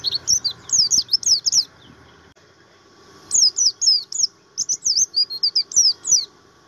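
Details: Kept Javan grey-throated white-eye singing a materi-type song: two bursts of rapid, high, sharp chirps with quick up-and-down whistled notes, separated by a pause of about one and a half seconds.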